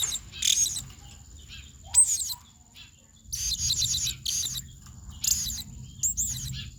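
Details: Blue-crowned hanging parrot singing in the heated 'ngobra panas' style for tutoring songbirds: scattered bursts of piercing high chirps and rough squeaky notes over a steady low background hum.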